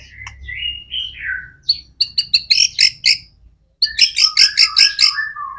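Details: White-rumped shama in persistent song as a lure for other shamas: a descending whistle, then staccato clicks and repeated bright, harsh high notes in two bursts, ending with lower whistled slurs, a faint low hum behind.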